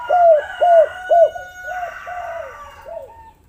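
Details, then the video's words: Lure recording of a spotted dove: three loud arched coos at half-second spacing, followed by softer, fading coos over a sustained higher tone. "pancingan maut tekukur derkuku malas bunyi langsung gacor"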